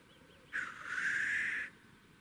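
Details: Black grouse at a spring lek in Russia, where several birds gather to display; one loud hissing, sneeze-like rush lasting about a second, rising in strength then cutting off, over quiet background.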